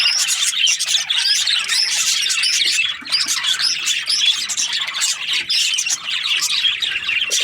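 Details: Cheerful budgerigar chirping, an unbroken wall of fast, scratchy chattering and warbled twitters from many birds, loud and steady throughout.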